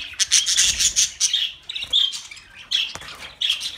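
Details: Budgerigars as pets, a quick series of high, scratchy chirps and warbled twitters in a steady run, then short separated squeaks after a brief pause.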